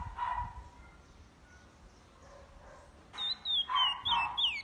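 Chestnut-bellied seed finch: faint soft whistles, then loud, clear high whistled notes sliding downward in quick, repeated phrases.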